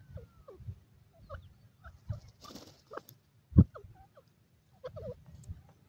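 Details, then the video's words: Francolin giving short clucking call notes in quick uneven series, about two per second, alongside dull low thumps and brief pauses. "dakhni teetar ke awaz,dakhni teetar ki voice"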